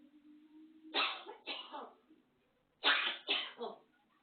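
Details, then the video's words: Pet African grey parrot imitating coughing: two pairs of harsh, breathy, sneeze-like bursts about two seconds apart over a faint low hum. Recorded in a quiet room. "african grey parrot whistling Andy Griffith theme, coughing, meowing, laughing"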